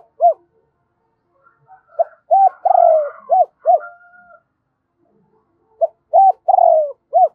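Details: Decoy spotted dove calling in double voice to attract other birds. One full phrase of clipped hoots around a long, quavering, downslurred coo, with another phrase near the end. Soft chirps of other birds in the gaps.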